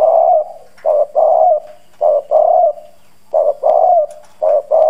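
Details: Spotted dove used as a lure for wild doves, with a strong, hoarse bronze-toned voice. Husky low coos come in repeated phrases of a brief lead note and two drawn-out syllables, four phrases in quick succession.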